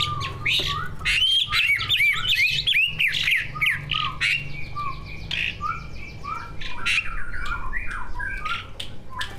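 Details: Captive greater green leafbirds, a pair of competition birds full of learned mimicked phrases, used as a prompt for other birds: a dense, loud torrent of twisting whistles and chattering notes, fading into softer scattered chirps, with low background hum.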